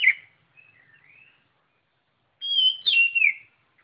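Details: White-rumped shama singing: a sharp note, faint soft warbles, a long silence, then a loud burst of slurred descending whistles with a rich, fluty tone.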